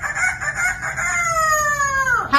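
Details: A female pet parrot, asked by her owner to do a rooster, imitates a rooster's crow: one long, nasal, strained note held for two seconds, then sliding downward at the end.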